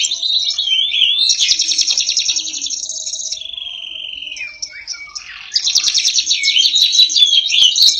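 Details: Canary singing loudly: warbled high notes leading into a rapid buzzy trill, a steady whistled tone, a short pause, then another fast rolling trill; the recording is otherwise quiet.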